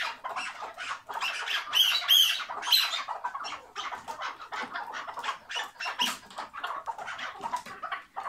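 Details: Kept chukar partridge giving the hıngırma call: a rapid, harsh chattering run of raspy clucks, about three per second and irregular, with brief squeaky notes near the start and no other clear sounds.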